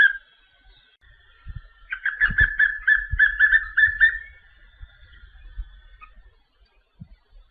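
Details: A papinho-amarelo gives a string of about ten fast, clear whistled notes on an even pitch over two seconds, over low rumbling handling noise and scattered knocks.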